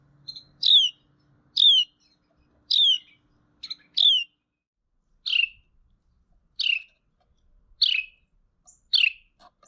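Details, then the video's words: A male Carolina wren gives a run of clear, sharply downslurred "cheer" calls, about one each second, with a faint low hum. Only males make this call, used in mobbing, sometimes in singing encounters with other males, and before roosting. "cheer calls are made only by males"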